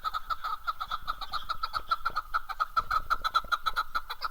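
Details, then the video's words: Keklik, the chukar partridge, recorded in Darvoz, Tajikistan, in 2019, giving a fast, unbroken chatter of clipped, repeated chuk syllables, roughly six per second, over faint low background rumble. "Кабки Дарвоз 2019. Горная Куропатка (Кеклик) в Таджикистане. Keklik"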